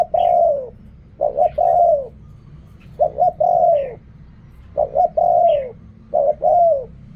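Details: Spotted dove giving coo phrases in the riak kham, khu kham and ok rong styles: five quick phrases about 1.5 seconds apart, with stuttered opening notes leading into a drawn-out descending coo and soft chirps above.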